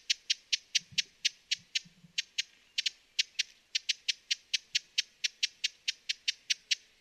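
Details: Broad-billed hummingbird sounding sharp, tick-like chips in a rapid run, around four per second, with a brief hesitation early on; soft low thumps in the background.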